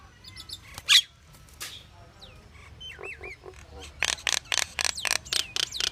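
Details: Pied myna with a mix of sounds: a single sharp squawk, a few slurred whistles, then a rapid rattling series of harsh clicking notes in the final two seconds.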